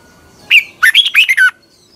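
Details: A short burst of red-whiskered bulbul morning song used for bird training, 2021: one clipped note followed by a quick run of four or five slurred, warbling whistles. Otherwise quiet.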